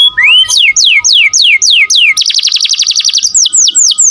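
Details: Canary singing energetically, used as a tutor recording for training other songbirds: fast runs of descending whistled sweeps, then a rapid trilled buzzy roll and more falling sweeps, loud and continuous, with a faint steady background tone.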